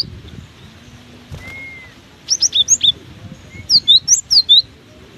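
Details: Cinereous tit still singing vigorously in strong wind: two lively phrases of rapid, ringing high notes that dip and rise in alternating pairs, separated by a brief pause, with gusty rumbling wind underneath.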